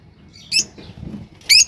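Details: Two brief, piercing lovebird chirps about a second apart, each a sharp high squeak over a soft low rumble.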